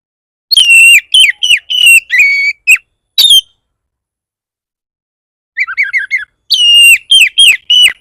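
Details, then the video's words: Song of an Oriental magpie-robin, 'bar bar' style, played to provoke other magpie-robins into replying: bright sustained whistles and short sliding notes, a long silence, then a burst of warbled chatter and more whistles. "Pancingan burung kacer bar bar naik pitam kacer lain"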